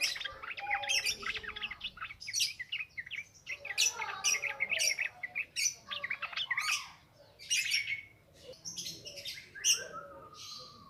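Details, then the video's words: Ngropel ngalas singing of yellow-vented bulbul, a continuous wild-style song, played as a lure for training raw birds. Busy, chattering jumble of sharp chirps, bubbling phrases and falling whistles over almost eleven seconds, with brief pauses. "SUARA BURUNG TRUCUKAN NGROPEL NGALAS"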